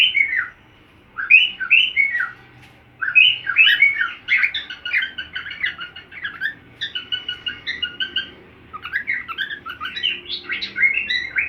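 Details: Cockatiel singing along to another cockatiel: a long, busy run of warbling whistles and chirps, briefly pausing before continuing in chattering bursts.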